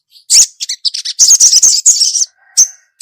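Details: Female ruby-cheeked sunbird calling the male: sharp, high chips then a dense run of buzzy, twittering notes, ending with a few spaced chirps.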